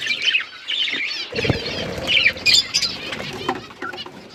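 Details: Outdoor aviary flock of budgerigars chattering with warbled chirps, broken by a wing flutter around one and a half seconds.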